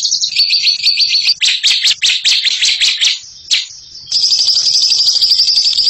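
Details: Ngekek champion bird singing: a fast high trill, then a series of harsher, broader chattering bursts with short gaps, a brief quiet spell, and a return to a smooth rapid trill.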